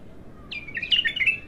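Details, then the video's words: A raw bulbul in its first outpouring of song gives a short phrase: one high note, then a run of clear, lively warbled chirps that waver up and down. Light background hiss. "تغريد الابتر خام اول فتحـه له"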